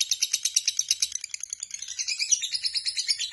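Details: A lovebird in ngekek style pours out shrill chattering notes in a quick, fairly even rhythm, strident and high, lasting throughout without pause.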